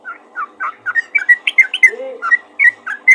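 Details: Yellow-vented bulbul calling other bulbuls, giving a lively run of warbled whistled notes at varying pitch, with a low, brief squeak partway through.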